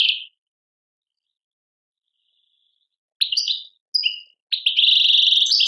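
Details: European goldfinch singing in the Tadmait style, Algeria. Brief twittered notes are separated by long silences, then a burst of chirps and clear whistles leads into a sustained buzzy trill.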